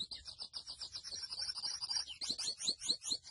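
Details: Grey seedeater, or mochuelo, pouring out a quick series of high chirps that run into a fast trill, ending in loud rising slurred notes.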